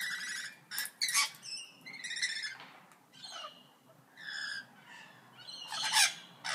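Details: Parrots chatter at a moderate distance with scattered harsh squawks and nasal, buzzy notes separated by short pauses, over a low background hum.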